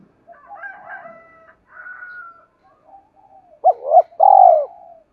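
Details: Spotted dove call used to stir other doves to coo: faint thin whistled tones and murmuring at first, then three loud, low, hollow coos, the last one stretched out.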